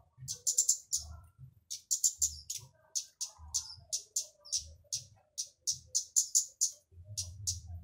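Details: Kemade or burung cabai flowerpecker in loud song used to lure others of its kind into singing; rapid series of very high, thin, ticking buzzy notes, about two or three per second, with a faint low hum beneath.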